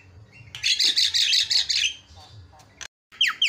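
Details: Javan myna, a loud senior singer used as a training recording, giving a burst of harsh, buzzy chattering notes followed by short squeaky whistles and a brief pause.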